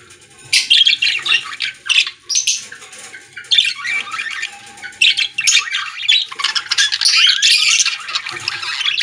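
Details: Pet-store budgerigars sing together in long bursts of harsh, buzzy warbling, broken by short pauses, with occasional clear whistles rising above the noisy chatter.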